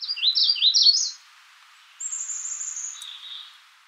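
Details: Clear burst of four looping, high warbled notes from a Magnolia warbler, then a pause and a long, thin, steady high whistle with a softer lower tone beneath.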